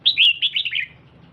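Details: Female red-whiskered bulbul calling to stimulate a male: a quick run of bright, chirpy, slurred notes, the first loud and high, the rest stepping slightly lower and fading within a second, over a faint low hum.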